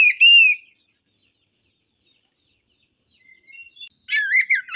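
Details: Oriental magpie-robin, a kacer, giving a loud whistled slur at the start, then a pause, a few soft thin notes and a final cluster of complex whistled and harsh notes.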